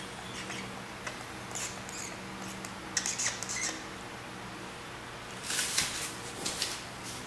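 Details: Three-week-old grey treepie chick from southeastern Taiwan, hand-raised and fed by hand at home. Harsh, hissing squawks come in short clusters, with a loud rasping burst near the end over a steady low hum.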